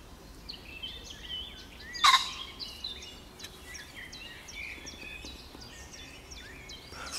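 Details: Agitated common pheasant crowing from bushes on 29 June 2020: one loud, harsh, abrupt burst at about two seconds, rich in stacked harmonics, over a steady background chorus of small songbirds twittering and whistling.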